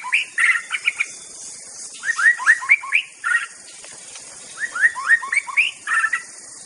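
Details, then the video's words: White-rumped shama (murai batu) in the wild, short bursts of rich whistled notes, quick slurred runs repeated in three phrases, with a constant high insect drone behind. "suara murai batu di alam liar"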